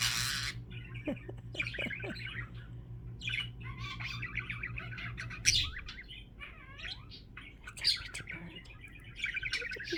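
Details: Indoor pet budgerigars chattering in a busy mix of squawks, rising and falling chirps and sharp ticks. A low mechanical hum runs through the first half and then stops.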